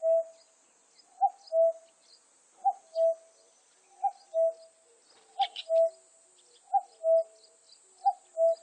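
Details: Common cuckoo from a 2020 Korean National Institute of Biological Resources recording, calling a steady two-note cu-coo, higher then lower, repeated about every one and a half seconds, seven times, with a few faint chirps behind it.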